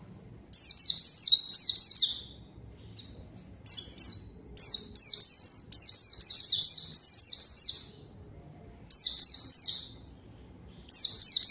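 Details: White-eye (pleci) song used to lure a rival and get quiet birds singing: repeated bursts of rapid, high, downward-gliding notes over nearly twelve seconds, with short gaps between phrases.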